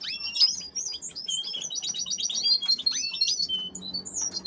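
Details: Female canaries in a breeding setup meant for crossing with goldfinches, chattering continuously with high, quick chirps, rising slurs and short rattling trills that overlap without a pause.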